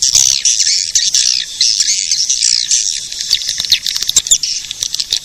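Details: High chattering of the edible-nest swiftlet, played to lure swiftlets: sweeping, wavering twitters in long runs, breaking into scattered sharp clicks and short chirps in the final seconds.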